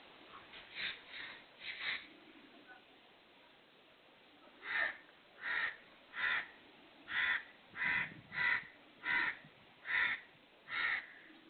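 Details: Black francolin (kala teetar) calling: a series of harsh, grating notes, a few soft ones at first, then about nine loud rasping bursts spaced under a second apart.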